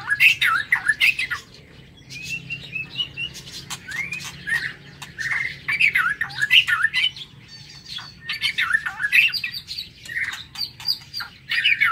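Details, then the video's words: White-rumped shama singing in the morning in an aviary: varied whistled phrases that swoop up and down, mixed with sharp clicks and squawky notes, over a low steady background hum. "Tiếng Chích Chòe Lửa độc lạ hay"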